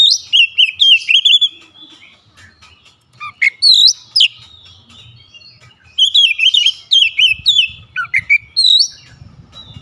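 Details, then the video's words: Oriental magpie-robin (kacer) singing with open beak: bursts of sharp, varied whistled and chattering phrases, rising and falling slurs, in two song bouts separated by a pause; faint low rumble in background. "KICAUAN KACER BUKA PARUH LEBAR TEMBAKAN PEDAS"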